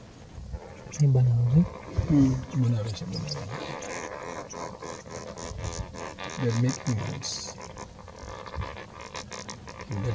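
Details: Lesser flamingos seemingly quarreling while starting to build nests: low, nasal honks and gabbling notes in uneven bursts, several overlapping in the first three seconds, with more around six to seven seconds over steady background noise.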